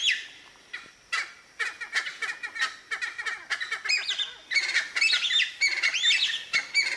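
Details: Male Cheer pheasant giving territorial calls at Manila in Uttarakhand: spaced harsh clucking notes quicken into a busy chattering run, overlaid by looping, wavering whistled squeals toward the end.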